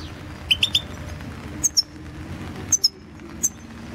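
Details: European goldfinch (Carduelis Balcanica), 2016 internet goldfinch song championship entry; a triplet of mid-pitched chirps followed by thinner, very high-pitched squeaky notes in pairs, background hum.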